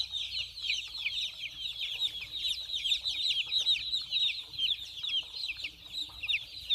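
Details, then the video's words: Lots of baby chicks, white in colour, running and drinking water, filling the air with an unbroken tumble of high, sharply falling peeps from many birds together, steady throughout with a faint low hum. "chicks chirping sound, small chicks voice"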